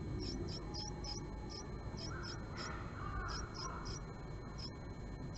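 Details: Japanese tit pair at a nest box, March 20, 2022, in the morning, the birds squabbling before settling: rapid string of short high notes repeated about three times a second, with a fainter mid-pitched sound midway, over low hum.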